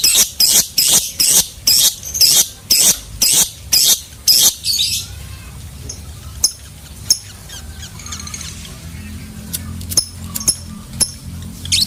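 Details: Lovebird giving a run of about ten harsh, squeaky chirps spaced roughly every half second, then falling mostly quiet with a few scattered faint ticks and chips.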